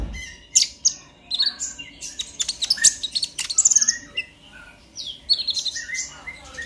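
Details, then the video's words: Konin, the purple-throated sunbird, singing an excited 'ngobra' chatter meant to stimulate other sunbirds: rapid high-pitched tinkling notes and quick slurred whistles in irregular clusters over nearly seven seconds. "Pancingan KONIN Bahan agar GACOR NGOBRA EMOSI - Purple Throated Sunbird"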